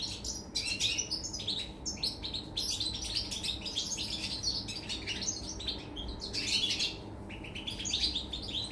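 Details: Song of a European goldfinch recorded 24 August 2019: lively, chattering twitters and sharp high chips delivered in rapid bursts separated by brief pauses, over a faint low hum.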